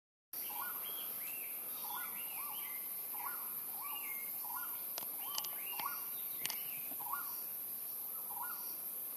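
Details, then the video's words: Hainan blue flycatcher (Cyornis hainanus klossi) at Mang Canh, Mang Den, Vietnam, 5 February 2024, sings short, sweet whistled phrases with up-and-down slurred notes, repeated every second or so, over steady insect hiss and a few clicks. "Hainan Blue Flycatcher"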